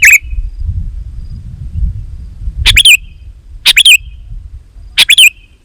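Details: Sooty-headed bulbul, used to draw in wild bulbuls from the forest: three short bright phrases of two or three chirped notes, about one second apart, over a low rumbling background.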